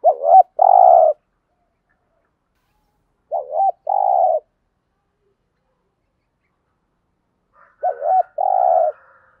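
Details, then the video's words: Spotted dove with a thổ-type voice, cooing to encourage decoy doves: three low phrases about three and a half seconds apart, each a clipped two-note start followed by a longer smooth coo. "tiếng chim cu gáy kích bổi hiệu quả mỗi ngày. bổi nghe gáy theo"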